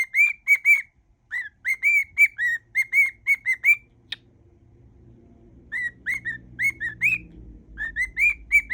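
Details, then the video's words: Pet cockatiel whistling a mash-up of songs: quick series of short clear whistled notes, some rising at the end, in two bursts separated by a pause, with a faint low hum in the background. "whistling cockatiel"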